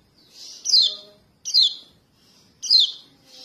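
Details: Begging calls of a juvenile yellow white-eye (kecial kuning) summoning its parents, used to lure birds for trapping. Three piercing, downward-sliding chirps sound about once a second, each preceded by a softer buzzy note.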